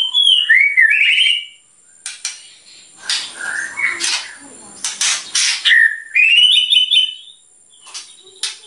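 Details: White-rumped shama (murai batu) singing steadily in its "tembakan" style. Loud, clear whistled phrases slur up and down, alternating with harsh rasping bursts and sharp clicks. Brief pauses come near two and seven seconds.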